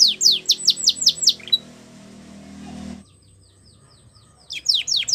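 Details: Canary song for training young canaries: a quick series of descending chirps, then a low humming noise, a short near-silence and the song resuming with sharp falling notes.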